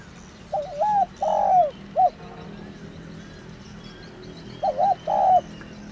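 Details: Spotted dove of the "thổ đồng" field type, a rural village bird, giving a calling coo used to rouse decoy birds: two low phrases, each a wavering coo, a longer swelling coo and a short dropping final note, with a quiet background.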